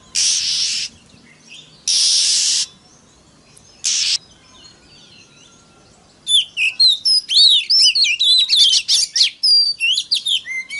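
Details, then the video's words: Oriental magpie-robin singing as a lure for rival birds: three loud hissing bursts of noise open the recording, then after a quiet gap comes a lively stream of quick, varied whistled and twisting notes. "PANCINGAN- BURUNG KACER TERBAIK AMPUH MERANGSANG EMOSI KACER LAIN BIAR TAMBAH GACOR"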